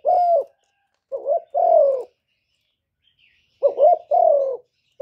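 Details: Spotted dove giving soft, low coos: a clipped wobbling note leading into a longer sliding coo, two phrases separated by a gap of about a second and a half of near silence.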